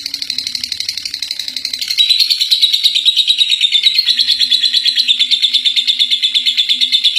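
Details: Lovebird, a first-place contest winner, delivering its ngekek, a long chattering song said to last three minutes: dense, high, buzzy chatter pulsing about three times a second, growing louder after two seconds and holding steady, over a faint low hum.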